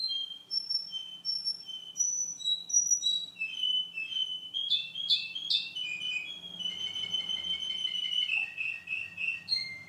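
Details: Russian canary, a male recorded two months after earlier footage, sings descending whistled notes, a burst of sharp chirps, then a long buzzy rolling trill ending in whistles.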